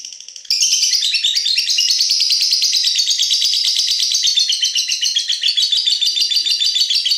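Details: Lovebird singing its long ngekek chatter at night: a dense, unbroken stream of rapid buzzy chirps, high and shrill, starting abruptly after a short quieter burst and running on without pause, with a faint low hum beneath.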